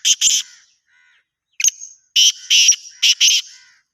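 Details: Black francolin calling, a rasping phrase of clipped harsh notes, a short pause, then a longer sequence of loud grating bursts with a thin whistled note between them.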